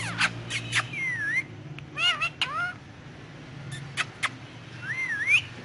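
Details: Talking Indian ringneck on pillows, Urdu/Hindi words: bursts of harsh clicks, clusters of arched speech-like syllables, and two looping whistled glides that rise at the end, with faint low background rumble.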